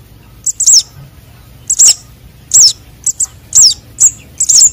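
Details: Sunbird chicks (konin and sogon), calls used to lure birds: very high, thin chirps with a quick wavering twist, given in short clusters about once a second over faint low background hiss.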